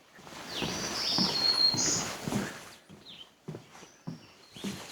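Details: Black-throated Green Warbler on the Brokenhead Wetland Interpretive Trail gives thin, high, buzzy notes over the first two seconds, nearly drowned by crunching footsteps on the trail.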